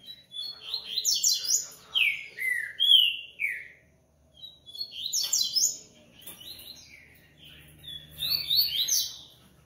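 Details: Captive-bred double-collared seedeater (coleiro) from a Brazilian aviary, repeating its song in three bursts. Each burst is a rapid series of high, sweeping whistled notes, some dropping sharply, with brief silences between.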